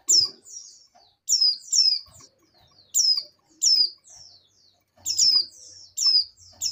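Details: Oriental white-eye female in breeding condition calls to the male, repeating clear high downward chirps about once a second, sometimes in quick pairs, with faint low hum.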